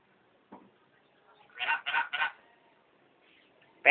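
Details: Hill myna that mimics passing street sellers' calls heard every day from in front of the house. Three strong, harsh, speech-like syllables in quick succession after a short click, then near silence and a sudden loud sound at the end.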